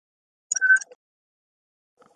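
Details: A male Chestnut-crowned Antpitta in Río Blanco Nature Reserve, Colombia, holding food in its bill, gives a brief, steady, mid-pitched whistle calling to the female in courtship feeding, with faint clicks, then near silence and a soft bump.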